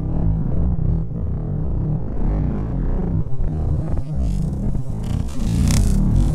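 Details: Loud music with bass, synthesizer and plucked strings plays throughout, and no animal voice is heard.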